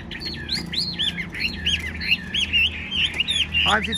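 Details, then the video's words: Fan-tailed tame Chinese hwamei, caged in Vietnam, pouring out song: a rolling chain of curled, slurred whistles, rising and falling in quick succession with hardly a gap. "Đuôi xòe hót không bỏ mỏ, chất giọng cực hay"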